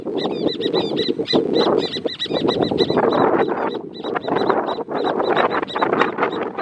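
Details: Two horneros call to mark territory at the Amarras del Gualeguaychú private nature reserve. A long, frantic chatter of rapid, ringing notes runs almost continuously from both birds, over a steady low murmur.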